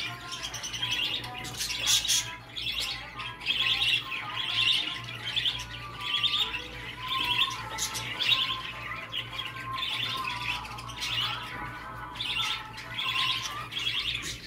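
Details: Budgerigar sounds used to stimulate a male to mate: dense warbling chatter in bursts roughly every two seconds, with scratchy squawks and a few sustained tonal notes over a steady low hum.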